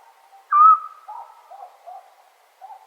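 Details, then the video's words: Eurasian scops owl on a summer night in Serbia: one short, clear whistled note that starts slightly higher and then holds level. Soft, lower warbling sounds follow in the background. "Sound Of Owl At Night"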